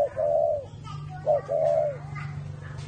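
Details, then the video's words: Spotted dove with a whistle-type voice, from a bird farm in Ba Vì, Vietnam, giving two smooth whistled coos, each short note followed by a drawn-out level tone, against a steady low mechanical hum. "CU GÁY GIỌNG CÒI (thổ mổ còi)"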